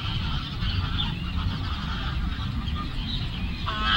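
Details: Goose honks at the Lagoa Maior lake in Três Lagoas: a handful of short nasal calls, then a sharper call at the close, over low-pitched background noise.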